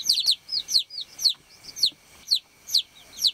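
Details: Chirping baby chickens on a farm, calling for the hen: loud, piercing downward-sweeping peeps in clusters of two or three, each cluster about half a second apart, against a faint steady high hum.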